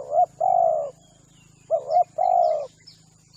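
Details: Spotted dove lure coos: a clipped double note followed by a long smooth coo, the phrase repeated twice, against a low droning hum, high steady insect whine and faint distant chirps.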